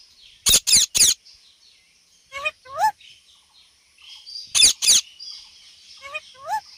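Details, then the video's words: Rose-ringed parakeet uttering short clusters of two or three harsh screeches, interspersed with softer, descending chattering notes and faint bird chirps in the background. "Indian Parrot Talking and Making Sounds"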